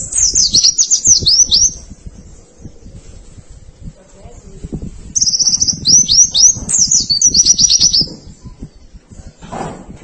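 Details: Masteran training recording of white-eye song in two bursts of fast, high, chattering twitters and downslurred whistles, separated by a quieter gap of low murmuring background noise.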